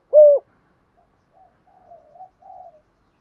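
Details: Captive spotted doves, male and female, cooing for training new birds: one loud, short hollow coo, followed by several very faint, soft, wavering coos trailing off in the quiet.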